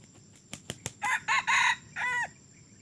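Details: Red junglefowl rooster that began crowing only three weeks earlier, taken along for decoy trapping: a few sharp clicks, then a short hoarse crow of three quick bursts and a longer, slightly falling final note, over a faint insect hum.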